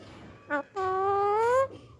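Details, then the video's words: Hungry green parakeet in Pakistan, apparently indoors: one short clipped note followed by a drawn-out, steadily rising nasal wail lasting almost a second, over a low hum. "PARAKEETS ARE TOO HUNGRY"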